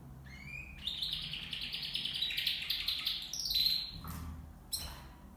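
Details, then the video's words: Two male and two female copper mosaic canaries kept in a hanging cage; continuous warbling song of rapid twitters and trills, a rising whistle at the start, ending with brief sharp notes over low hum. "Kanarya Ötüşü (Bakır Mozaik Kanarya)"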